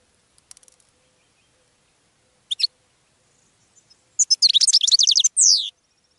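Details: Goldfinch song to attract other birds: a few faint ticks and a double chirp, then a quick burst of bright high twittering closing with a descending buzzy note.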